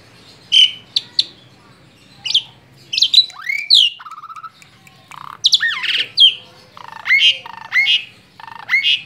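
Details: Tame Asian pied starling singing a loud, varied run of sharp squawks, chattering bursts and slurred whistles, with a few lower rising notes, over a faint low hum.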